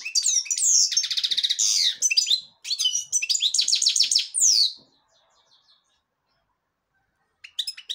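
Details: A black-headed European goldfinch delivers devonash-type song: about five seconds of quick chattering trills, liquid twitters and a long falling slur, then near silence with a few soft chirps at the end.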